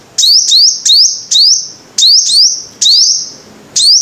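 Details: Five-coloured sunbird song: high, thin notes, each a quick upward sweep settling into a shrill steady tone, delivered singly and in close pairs about nine times over four seconds, against a quiet background.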